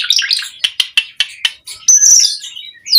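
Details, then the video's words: Pumping Asian pied starling used as a lure to set off other songbirds: a quick string of sharp clicks and chattery notes, then a sustained shrill whistle and a rising squeak at the close. "Pancingan Jalak Suren Mompa RingTone Bikin Suara Burung OCEHAN satu Rumah LANGSUNG Nyaut"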